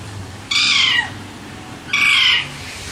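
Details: Two loud, harsh, rasping Alexandrine parrot screeches, each about half a second long, separated by a brief pause, over a quiet background.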